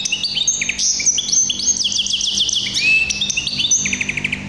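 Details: Song of a hybrid canary of the tuffahi type, a bright run of clipped whistles, looping slurred notes and a quick rolling trill at the close, delivered without break against a quiet low hum.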